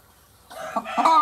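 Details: Laying hen gives a short, loud, rasping two-part call that rises in intensity toward its end, with a faint low rumble before it.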